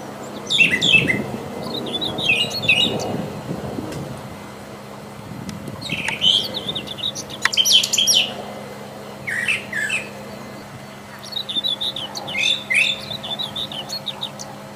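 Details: Long sequence of wild Brown Thrasher song: varied chirpy phrases in distinct bursts, often repeated in pairs, with short pauses between groups and a low background rumble.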